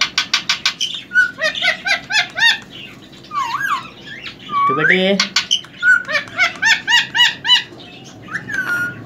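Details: Male ring-necked parakeet, three years old, semi hand tamed: rapid rows of harsh, ringing calls at several per second, broken by looping whistles and a strong rising whistle in the middle.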